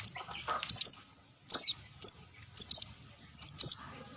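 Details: Young crimson sunbird calling, a recording used as a bird lure: very high, sharp double chirps with quick downward flicks, given in short bursts about once a second. Faint lower chatter sits under the first burst.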